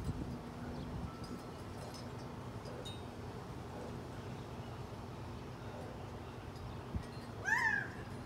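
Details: A walking Gambel's quail in Scottsdale, Arizona, gives one short, nasal, rising-then-falling call near the end, over a steady low outdoor hum.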